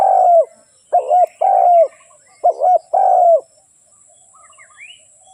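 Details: Spotted dove singing two double-coo-plus-long-croo phrases after an opening croo, with faint high chirps from another bird near the end.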